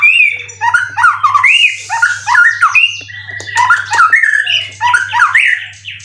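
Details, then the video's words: White-rumped shama, caged competition bird from Indonesia with twelve wins, producing a harsh, scratchy run of squawky, buzzy notes mixed with short slurred whistles, repeated in bursts roughly each second. "Burung Murai prestasian udh kondisi 90% materi full clilin siap turun Lg!"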